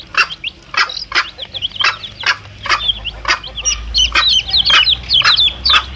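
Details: Chicks and their mother hen, used to lure wild male junglefowl; scattered clucks open the stretch, then shrill chirping chicks swell into a busier chorus toward the end.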